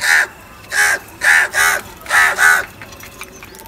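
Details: Series of six harsh crow caws, spaced roughly every half second, then quiet background.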